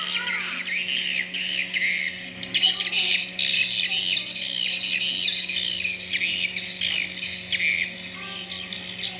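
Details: Swiftlet calls, a natural recording captured by a sensor, said to follow the season (possibly breeding): dense, buzzy high chirps and rapid twittering, repeated almost without pause, over a steady low hum.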